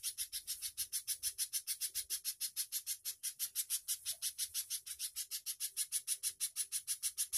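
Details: Spiderhunter singing in the lively 'gacor konslet' style, recorded as training audio for murai batu and other songbirds: sharp, high, buzzy notes repeated steadily about three times a second throughout, with no other clear sounds.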